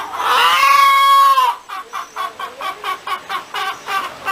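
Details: Chicken giving a long strained squawk of about one and a half seconds, then a run of short rhythmic clucks repeated roughly every quarter second.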